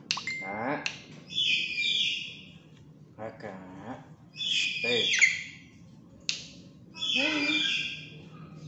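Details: Fully tame black-capped lory, noisy and talkative. Repeated screechy, buzzy high calls alternate with lower, speech-like babble, each burst lasting about a second, in a quiet indoor setting.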